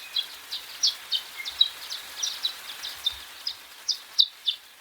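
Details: Violet-green Swallows chatter excitedly while hunting insects early on a spring morning: thin, high, sharp chips and twitters, about a dozen in under five seconds at an uneven, lively pace, over faint outdoor hiss.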